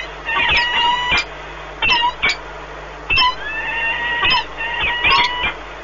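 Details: Peregrine falcon pair meeting at the Orlen Płock nest, Poland, 1 March 2019, bonding; soft whining harmonic calls broken by sharp clicks, with louder short bursts now and then.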